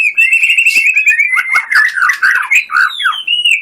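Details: Full 'tembakan' from a white-rumped shama described as a songbird-contest winner: a steady rapid whistled trill breaking into varied slurred notes, squeaks and a final level whistle.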